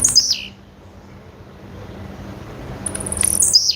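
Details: Two calls from a female blue-black grassquit, each a bright high note slurring downward into a short buzz, about three seconds apart with soft background hum between.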